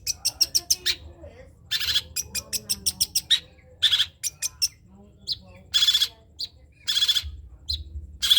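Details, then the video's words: Long-tailed shrike, trotol variety, used as a tutor song: fast series of sharp ticking notes, then loud broad harsh bursts and scattered chips, with steady low hum beneath. "CENDET COCOK DIBUAT MASTERAN BURUNG CENDET TROTOL"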